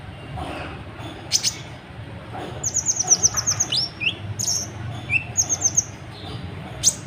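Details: Kolibri ninja sunbird in full, agitated song, used to provoke other birds into singing: rapid runs of very high, thin, repeated trilled notes alternating with short rising whistles and sharp chips, over a low background rumble.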